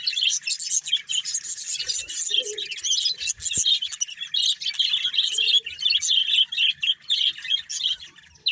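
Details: Budgerigar breeding pair giving steady, busy chirping chatter, a jumble of scratchy twitters and quick high notes with no pauses, plus a faint click partway through.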